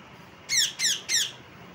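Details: Pet parrot indoors giving three quick, harsh squawks in a row, each note sliding downward, in a small room with quiet household background; Hindi speech is heard just before and after.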